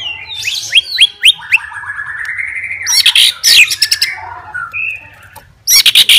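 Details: White-rumped shama kept as a super fighter, singing to provoke other shamas; a few rising whistles, a long drawn buzzy note, then noisy broadband bursts and a brief rattle at the close.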